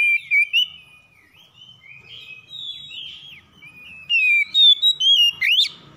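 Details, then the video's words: Oriental magpie-robin in morning song, birds answering each other in a rough style: a few loud whistles, then a soft rambling warble, then a dense run of strong whistled notes ending in a sharp rising sweep. "PANCINGAN KACER PAGI HARI SALING SAUT SAUTAN KASAR"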